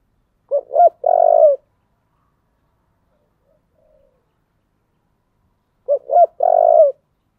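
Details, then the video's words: Spotted dove with a thổ-style voice, goaded into fighting. Two clean phrases about five seconds apart, each two short upswept notes and then a longer, slightly falling coo, over silence. "cu gáy giọng thổ/ cu gáy thúc đấu"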